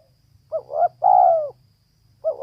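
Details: A single phrase from a female spotted dove: two short soft notes, then a loud, long, husky coo falling at the end, and another phrase starts. A faint low hum is heard.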